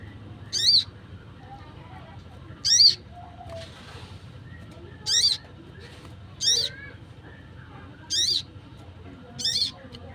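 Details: Wild sunbird calling, a call used for luring wild birds: six short, piercing, high buzzy notes, each with a fast up-and-down wobble, spaced roughly one and a half to two seconds apart, with quiet low hum behind.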